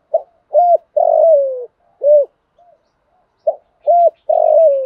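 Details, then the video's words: Spotted dove singing to stir decoy birds into song, a sequence of short, low hollow coos, some ending in a longer gliding note that drops in pitch, given in two bursts separated by a pause; no other sounds. "tiếng chim cu gáy dùng luyện mồi gáy theo"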